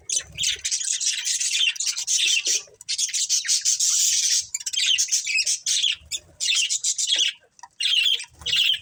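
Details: Several pet budgerigars in a family chirping: long runs of rapid, buzzy, high-pitched warbling chatter broken by short pauses every second or two.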